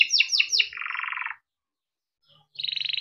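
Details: Caged male yellow canary kept in Indonesia, singing a long tutor song: three quick descending whistled sweeps, then a low buzzy trill, a pause, and a higher rapid trill.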